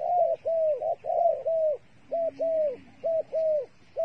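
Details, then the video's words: Trapping-bait dove producing rapid runs of mid-pitched coos, short and long notes alternating, slightly arched in pitch, several per second in bursts, with a faint lower drawn-out tone partway through and soft background rumble. "Videoដ៏អស្ចារ្យរបស់លលកធ្នាក់ល្អមើលជក់ចិត្ត | The five videos of the dove bait are really good to wa"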